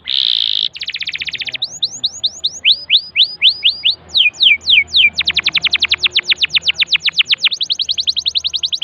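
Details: Canary singing to encourage a silent canary: a buzzy opening, a quick trill, rising and falling swept whistles in groups, then a long fast run of sharp downward notes trilled steadily to the end.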